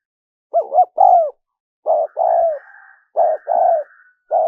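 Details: Spotted dove giving repeated soft coo phrases of short and drawn-out hollow notes, recorded for luring wild doves; a faint higher, thin sound runs beneath some notes.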